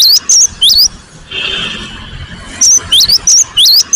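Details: Bursts of high, wavering whistled notes from a cinereous tit (gelatik batu), interrupted midway by a steady hiss before the quick whistles resume.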